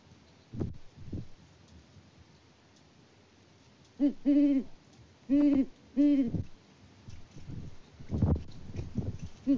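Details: Great horned owls, a mated pair at a farm in Peabody, Kansas, filmed by live cam in February 2024, hooting to each other with the male out of view: three deep, muffled hoots in quick succession after soft thumps.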